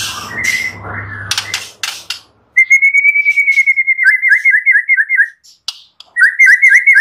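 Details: White-rumped shama song from a master recording used to train other birds, full of varied phrases: a long level whistle sliding into a fast rolling trill, a brief pause, then the trill resumes, with scattered clicks early on.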